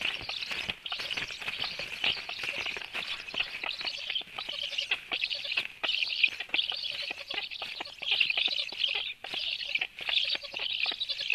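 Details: Black woodpecker at 13:06 as the female brings a lot of food; near-continuous harsh, hissing buzzy calls in rapid overlapping bursts with brief dips, plus clicking and scraping noises.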